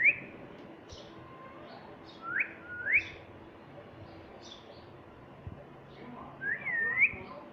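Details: Pet rose-ringed parakeet, a talking green ringneck, gives short upward-swept whistles and a curved whistled note, spaced by quiet pauses, with soft indoor hum behind.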